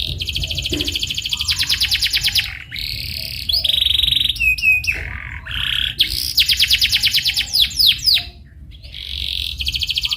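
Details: Canary lure song for teaching rolling singing: dense rapid trills repeated in bursts, interspersed with flat whistled tones, quick slurred notes and short pauses, lasting throughout.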